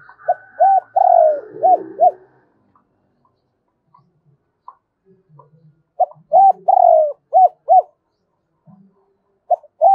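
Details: Spotted dove used as a decoy, singing a double-voice, two-ending coo to lure wild doves. Two phrases are heard, each a clipped note, a drawn-out descending coo and two quick hoarse notes, with silence between.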